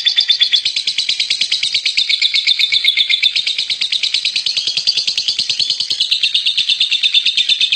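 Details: Champion lovebird keeping up a steady, rapid stream of piercing high chirps, dense and unbroken for several seconds.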